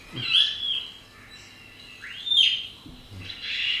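A starling gives three high whistled phrases: a wheezy note, a slurred rising-and-falling whistle, then a buzzy rasp, with short pauses between.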